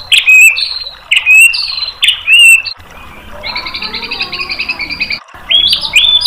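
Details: White-rumped shama song played to provoke replies: bright whistled phrases with sharp upper clicks, followed by a long steady rapid trill, then more whistles.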